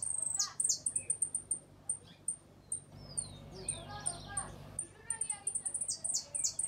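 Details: ['Uruguayan hooded siskin giving its repique, golpe and pito song. A quick burst of high, sharp notes opens, followed by sparse ticks and slurred whistles. Another rapid volley of piercing notes closes it.']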